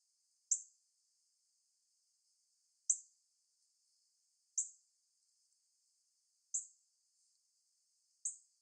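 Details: A female northern cardinal in a tree, calling for a mate, gives sharp, high metallic chips spaced a couple of seconds apart.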